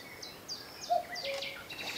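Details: In spring at Thursley Common, Surrey, England, a male common cuckoo announces his arrival from a distant tree with a single soft two-note cu-coo, the second note lower, while thin, high chirps from other small birds run throughout.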